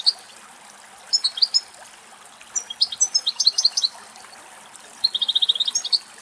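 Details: Male European goldfinch eating from a dried thistle in the Greek countryside; bursts of high, tinkling twitter notes in three groups, the last a fast run of a dozen rapid even chips, with soft background hiss.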